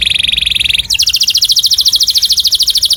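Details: Canary song played for other birds to imitate: a quick pulsing trill that jumps to a higher, even faster, very regular trill of bright repeated notes.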